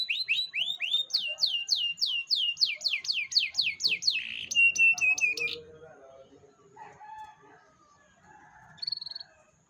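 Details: Domestic canary song played as a lure to coax a young canary into singing: a fast run of repeated whistled notes, each sweeping down then up, then a harsher buzzy trill and rolling notes, fading into faint low chatter.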